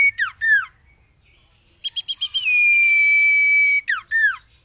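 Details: Common iora song for cage-bird training. Two falling slurred notes come first, then after a pause four chips lead into a long steady whistle, which ends in two more downward sweeps.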